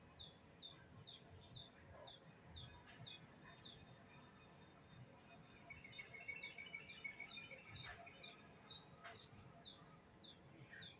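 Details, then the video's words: Bird calling with a quiet, steady run of short high chirps, about two per second, over a constant hiss of background noise and a faint, wavering lower trill in the middle. "Dengarkan Suara Burung"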